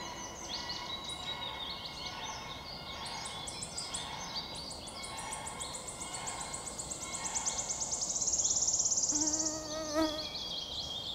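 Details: Wood warbler (Phylloscopus sibilatrix) singing on 22 May 2023; it often sings in flight and seldom finishes a whole song on one branch. High repeated ticking notes speed up into a dense, shivering trill near the end, over other birdsong.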